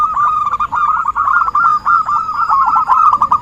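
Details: Zebra dove singing steadily as bait for trapping: rapid clipped coos strung into rolling trills, nearly without pause.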